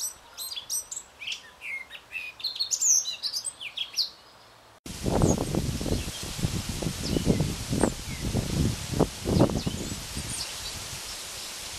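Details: Male Eurasian blackcap singing in the wind: a rapid, varied run of high chirping and warbled notes for about five seconds, then gusty wind roars loudly over a few faint, scattered notes.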